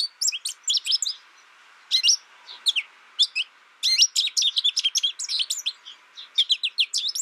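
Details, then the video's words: American Goldfinch song: scattered bright chirps at first, then after a short gap a dense, rambling series of high twitters and sweet slurred notes that keeps going to the end. "American Goldfinch Bird Sound, Bird Song, Bird Call, Bird Calling, Chirps"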